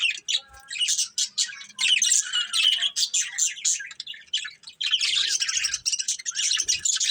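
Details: A flock of colourful budgies chatters on and on, rapid grating chirps and squeaks piling into a continuous warble, with a few soft thumps underneath.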